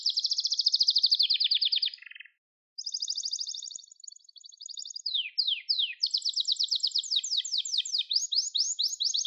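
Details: Singing Gloster canary, a recording for song training: a fast, high rolling tour drops to a lower trill, breaks off in a short silence, resumes with chopped rolls and several steep downward slurs, then ends in rapid, crisp trills.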